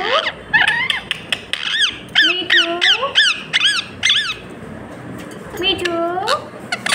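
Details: Pet talking parrot, kept indoors: a rapid series of loud squeaky chirps with arching, bent tones, repeated several times a second, then a pause and a final cluster of rising-falling squeaks.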